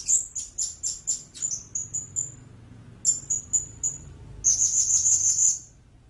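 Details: Blue-crowned hanging parrot giving a string of very high, thin squeaky notes, about three per second and fading, then a short burst and a fast shrill trill near the end; faint low rumble beneath.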